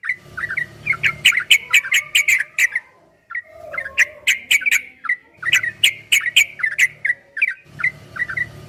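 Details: Yellow-vented bulbul master song in 'ropel' style: rapid bursts of clicking, bubbly notes separated by short pauses, one soft low whistle in the middle, with a faint hum underneath.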